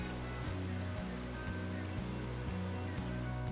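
A Common Kingfisher gives five shrill, piercing high whistles, each a brief thin 'tseee', at uneven intervals over a low, repeating music backing.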